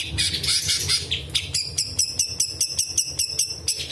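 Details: A singing bulbul, mimicking small birds, large birds and insects, gives a bright, high burst, then a fast run of sharp repeated notes, about six per second, over a steady low hum.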